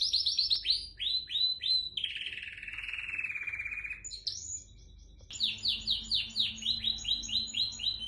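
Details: A home-bred white dominant canary sings a bright, rapid run of high descending notes, then a long buzzing trill, a brief rising whistle, and another fast series of repeated chirps.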